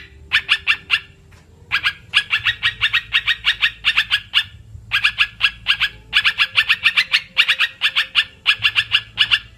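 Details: Olive-winged bulbul call played to lure birds for trapping: several bursts of rapid, harsh double-toned notes, some runs lasting two seconds, broken by short pauses, with a quiet low hum underneath.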